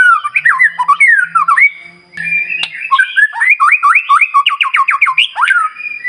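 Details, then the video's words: White-rumped shama in lively morning song meant to provoke other birds to sing: rich whistled slurs rising and falling, then a rapid run of repeated looping notes near the end. "Pancingan Murai Batu Paling Ampuh Bikin Burung Lain Meledak Bunyi"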